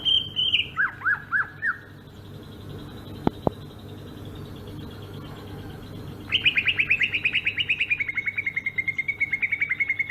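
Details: Rolling ngerol song of a Sumatran greater green leafbird: a high whistle and looping downward notes, a pause with two clicks, then a long rapid rattling trill of bright notes gradually dropping in pitch.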